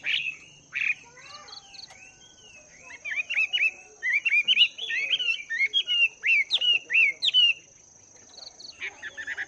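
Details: Chinese hwamei kept two months in a cage, practising its voice in the morning with a long run of varied sharp, slurred whistles and chips, loud and rapid in the middle, over a steady high whine.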